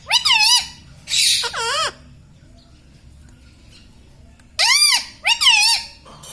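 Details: Indian ringneck parakeet, a pet talking parrot, repeating paired, bouncy, harmonic syllables in two short bursts separated by a quiet gap of over two seconds.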